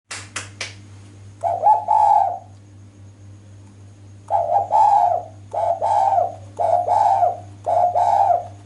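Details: Female spotted dove giving a loud, clear lure call meant to make males answer: a few sharp clicks, then a two-part cooing phrase, a pause, and four throaty coo phrases in quick succession, with a steady low hum underneath.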